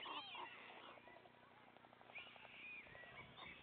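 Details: Three white stork chicks at the nest receiving food from their father; a quick string of evenly spaced soft pulsed notes between louder high mewing whines.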